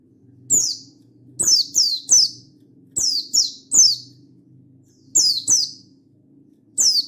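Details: Mountain white-eye calling a rival in energetic wild style, 16/8/22: about eleven sharp, high notes that each drop steeply, delivered singly and in quick pairs or triplets, with a low hum behind.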